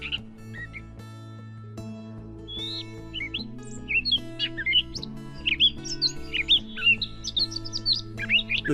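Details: Catbird giving mimicry song, copying other species such as Sora rail, Western meadowlark, Wilson's snipe and Pacific tree frog; soft music first, then a rapid, varied jumble of high squeaky, sliding and chattering notes over continuing music.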